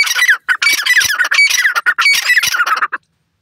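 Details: Francolin giving loud, grating, chattering squawks in quick bursts, almost without pause for about three seconds, then stopping abruptly into silence.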